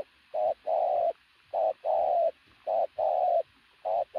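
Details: Decoy pigeon of athletic build cooing loudly and steadily, short note then longer even note in each phrase, phrases coming about every 1.2 seconds with clean silence between.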